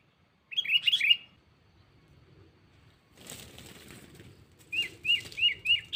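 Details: Sooty-headed bulbul calling to a rival as a lure: a quick series of short up-slurred chirps, then a rustle, then another run of four evenly spaced chirps.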